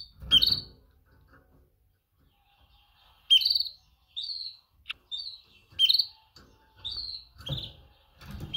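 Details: Female canary giving a mating call to males: short, high, slightly downslurred chirps, some paired, repeated irregularly every half second to a second after a quiet opening pause, with soft low thumps beneath a few notes.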